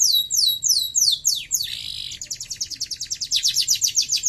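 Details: Canary singing a series of descending whistled sweeps, a harsh buzzy note, then a steady fast trill of bright high notes.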